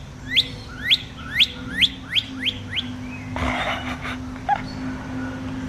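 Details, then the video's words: Six quick rising whistles from a male northern cardinal, given roughly twice a second and slowly fading, then a rustling noise. The bird had come into a backyard after a cardinal call was played from a computer. "Cardinal birdcall using computer"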